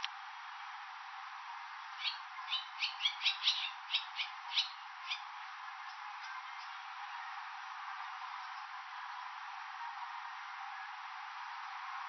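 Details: Swallows nesting and raising young at a roadside station in Nihonmatsu, Fukushima, Japan, in May to June; a burst of sharp, high chirps clustered over about three seconds, then fading to quieter background murmur.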